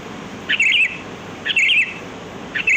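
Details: Wild sooty-headed bulbul (kutilang) singing, a sound used to lure birds: three short bubbly, warbling high phrases about a second apart over steady low background hiss.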